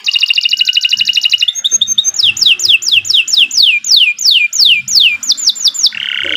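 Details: Long, steady canary song meant as a training master for other birds and to prompt non-singing birds. A buzzy rapid trill lasts over a second, followed by repeated downward-sweeping whistles, then a dense trill at the end.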